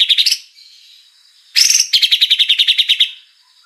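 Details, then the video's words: Oriental magpie-robin, 2021 training recording: a short fast trill, a faint thin whistle, a harsh burst, then a steady rattling series of about fifteen high clipped notes. "MASTERAN MATERI MEWAH MURAI JUARA"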